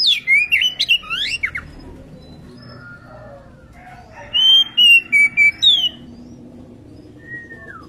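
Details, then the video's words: A breeding-condition female Oriental magpie-robin calls to its companion with a rapid run of sharp chirps, a pause, then a row of five clear high whistles in quick succession and a final descending note. "burung Kacer betina gacor birahi memanggil temannya"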